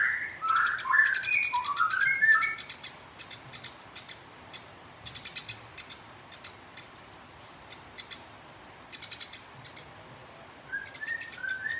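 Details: House sparrow chattering while fighting a rival, meant to provoke the opponent into song: dense runs of rapid, harsh, high chirps throughout, with a different bird's clear whistled phrases at the start and end.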